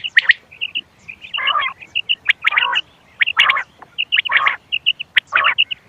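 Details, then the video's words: Quail sounds played to attract birds for hunting: bright high paired chirps repeating rapidly, broken by harsh raspy bursts about every second. "گھونگے وال کیسٹ بٹیر کی آواز شکار کیلئے quail bird sounds for hunting bater ki awaaz"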